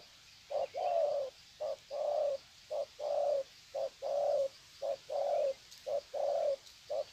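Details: Wild-caught spotted doves trading long greeting coo series, Sê San, 21 February 2020; mellow low coos alternate short and drawn-out, steadily repeated nearly once a second with light background hiss.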